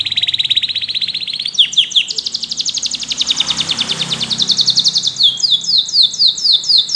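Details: A yellow canary's rapid pulsed trill runs into a long, loud high roll. It closes with a series of quick downward-slurred chips repeated about four times per second.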